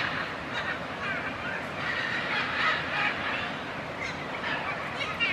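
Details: A flock of military macaws in Suaz de Guadalupe, Querétaro, Mexico, during migration time, gives harsh, raucous squawks that overlap continuously, several calls each second, with faint human speech beneath.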